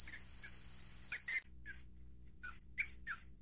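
Common kingfisher giving sharp, piercing high whistles, short single notes repeated irregularly, over a faint hiss at the start.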